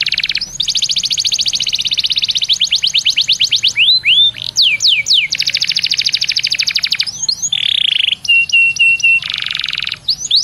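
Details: Canary song used as a lure for other canaries: long fast trills alternating with descending whistled sweeps, a low buzzy roll and a flat piping tone, continuous and energetic.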